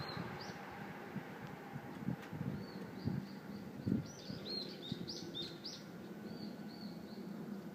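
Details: Small bird singing: short high arched chirps and whistles repeated irregularly over a steady low background rumble and hiss, with a few thuds.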